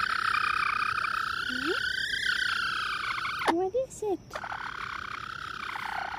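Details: A Light Brahma bantam hen gives her aerial predator alarm call, a long, high, quavering note held almost steadily, briefly interrupted by a woman's soothing voice; the owner suspects she saw a hawk.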